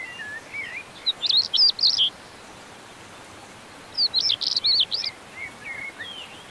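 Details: Common stonechat, Montes de León, Spain, recorded May 2019: two brief, rapid, scratchy high-pitched warbling phrases about three seconds apart. Softer thin whistles come before and after each phrase, with steady background hiss.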